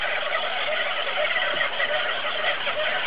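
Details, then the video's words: Crowded auklet colony on Buldir Island, heard as constant layered chatter with short nasal, whistled notes poking out of the dense background din. "Auklets Buldir Island"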